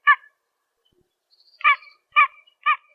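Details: Pied-billed Grebe of American ponds and marshes calling: one loud hollow barking note, a pause of over a second, then three more evenly spaced harsh notes about half a second apart, each with stacked harmonics.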